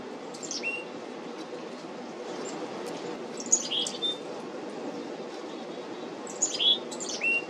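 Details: Black-capped chickadees visiting a feeder, 17 July 2025: two separate bursts of thin high notes, each followed by a short, slightly falling lower whistle, with a constant low rumble behind.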